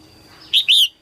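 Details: Female red-whiskered bulbul singing early in the 2022 season to stimulate males. One loud, bright two-part phrase: a short whistled note, then a longer slurred note that rises and falls, with a faint hum behind.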